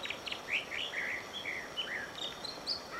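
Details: American dipper singing on Whisper Creek near Diamond Lake, Oregon, with sweet warbled phrases, short slurred whistles and trills in quick succession over the steady rush of running water.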